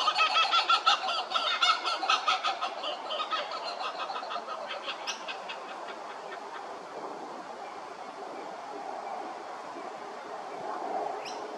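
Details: A crested pigeon at Hervey Bay, Queensland, gives a rapid run of harsh, pulsed notes that fade within about four seconds, followed by steady background hiss and a few faint clicks.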